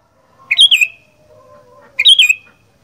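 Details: Kutilang, or sooty-headed bulbul, delivering gacor fighter song: two loud gurgling phrases of tumbling slurred notes about a second and a half apart, with a faint low whistle between them.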